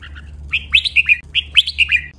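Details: Red-whiskered bulbul training song, Thai double style with 23 counted phrases. Two crisp phrases of four or five fast, clear whistled notes follow a soft introductory note, over a steady low hum.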